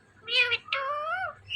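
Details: Indian ringneck parakeet mimicking a cat's meow indoors: two clear harmonic notes, a short rising mew then a longer wavering meow-like tone, with no other sounds.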